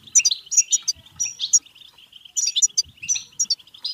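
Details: Bright European goldfinch bebteh song to excite singing and mating: jangling chirps and buzzy trills in two bursts separated by a quieter twitter.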